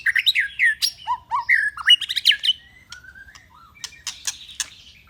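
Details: White-rumped shama song used for training birds: loud, varied whistled phrases with rising and falling slurs, quick sharp notes and brief trills, then softer scattered notes toward the end.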